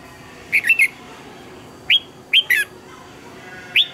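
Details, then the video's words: Spaced, sharp whistled notes and short chirped groups from a red-whiskered bulbul, recorded for song training, coming roughly every second with quiet between. "Luyện chào mào hót sáng hay nhất, Ép chào mào hót âm kép xoắn hay tuyệt, luyện chào mào hót căng lửa"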